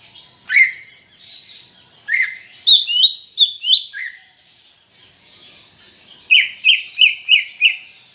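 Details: Greater green leafbird in lively varied song, used to spur kept leafbirds into singing: sweeping downward whistles, a string of quick chirped phrases, then five rapid even notes near the end.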